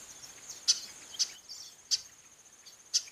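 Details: Female chestnut-capped blackbird giving four abrupt, clicky chip calls, spaced irregularly at roughly half-second to one-second gaps, against a constant faint high buzzing background.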